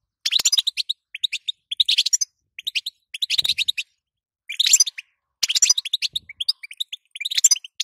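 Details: Female European goldfinch calling, a call meant to prompt the male to sing: bright, high twittering bursts of rapid chirps, each lasting under a second, repeated in quick clusters with short silent gaps.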